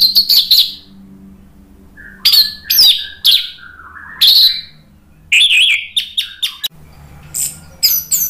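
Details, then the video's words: Orange-headed thrush singing in full 'ngeplong' style to stir other birds to reply, Indonesia; short bright high phrases repeated roughly every second, mixing sweet slurred whistles, sharp chips and rapid squeaky trills. "ANIS MERAH GACOR NGEPLONG memancing EMOSI jadi NYAUT BUNYI"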